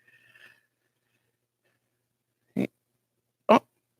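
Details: A pet female Congo African grey parrot at home in Calgary, seemingly refusing a pet and wanting onto the computer monitor, gives two short, harsh, rasping growls about a second apart after a faint thin whistle, in a quiet room.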